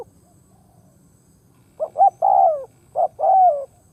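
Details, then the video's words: Decoy spotted dove, calling to draw in wild doves, begins after a short silence: two phrases of quick clipped notes leading into a longer downslurred coo, about a second apart. "Tiếng Chim cu mồi đất gáy kích bổi nhanh nổi"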